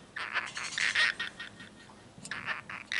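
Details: Cockatiel kept as a pet chatters in one continuous take, with quick raspy speech-like syllables running together in short bursts and a brief pause before another burst of mumbled talk.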